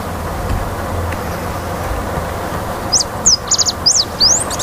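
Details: Ringed warbling finch (Microspingus torquatus) song: a quick run of high, thin, sharply rising and falling notes in the last two seconds, over a steady low rumble of traffic.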